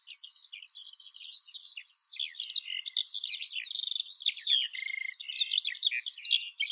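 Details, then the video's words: Eurasian skylark singing a continuous, rapid warbling stream of high chirps, trills and short whistles, tumbling without pause through the whole stretch; no other sounds. "Жаворонок полевой (Alauda arvensis) *** Пение птиц"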